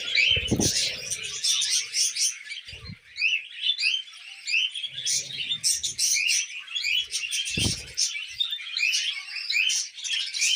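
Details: Tame pet budgerigars kept with cockatiels chatter while feeding on millet: a long, steady run of twittering squeaks and buzzy whistles, broken by a few loud knocks or thumps.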